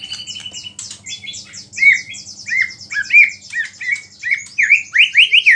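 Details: White-rumped shama singing to provoke other shamas: repeated high buzzy chips in rapid series, then loud rising-falling whistled notes roughly twice a second, over a faint low hum.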